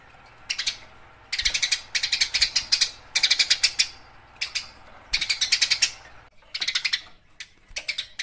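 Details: Eurasian tree sparrow in fighting mode, used as a training recording for songbirds: harsh, rapid chirps in dense bursts of about half a second to a second, separated by short pauses, with a steady faint low hum underneath.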